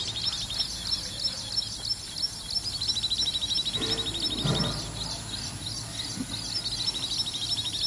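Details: Common babbler giving a long series of quick, thin, high repeated notes, about three each second, over a steady background hiss with a faint low murmur in the middle.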